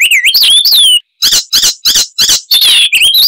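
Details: Icterine warbler singing: looping, rising and falling whistles, a brief pause, then separate harsh chattering notes and a return to wavering whistles.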